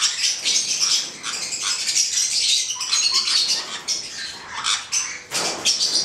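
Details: A pair of black-headed parrots (Caique melanocephala) calling at close range: dense harsh squawks and shrill chattering notes, continuous and overlapping, with short breaks between bursts.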